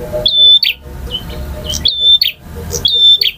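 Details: Male bar-winged prinia in long varied song, giving piercing level whistles with a twanging flick at the end, three times in quick succession, with softer chirps between and little background noise.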